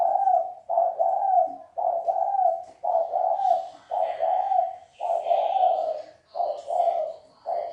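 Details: Spotted dove giving 'sấm chuông' style calls to rouse males, females and newly caught birds, with a steady run of deep paired coos, nearly one per second, and a soft hiss behind.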